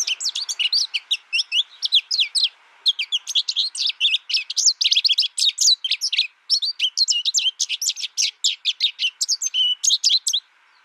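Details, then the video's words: An American goldfinch chatters steadily, with crisp, high twittering notes packed tightly in a continuous, varied series lasting about eleven seconds. "American Goldfinch Sound"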